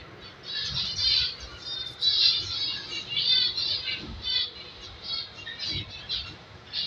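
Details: A brood of five aviary-bred zebra finch chicks gives a steady run of high, raspy begging calls in short bursts.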